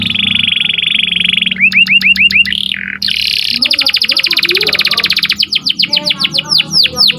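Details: Morning canary song opening with a steady high buzzing roll, then a run of rising notes, a long fast rattling trill, and finally sharp falling whistles repeated in quick succession.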